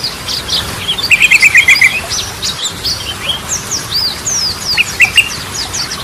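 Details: Yellow-vented bulbul singing actively with scattered sharp chirps and quick slurred whistles, then a rapid rattling burst of about eight notes, followed by more varied twittering phrases; the singing serves as a lure to restart birds that have stopped singing.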